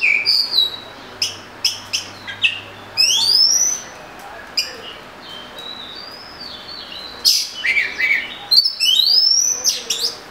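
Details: Oriental magpie-robin, locally called murai kampung, singing a varied series of clear whistled and slurred phrases, some rising, some falling, mixed with short sharp chips, in bursts separated by brief pauses.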